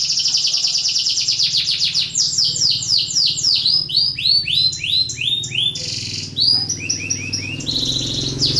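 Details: Breeding-condition canary whose song serves to set other canaries singing: a continuous torrent of high trills, shifting from fast buzzy rolls to slower descending whistled slurs and back, with faint low background hum.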